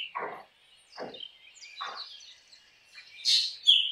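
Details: Black drongo calling: three descending harsh rasping notes about a second apart, then a loud burst and a sharp ringing whistle at the end.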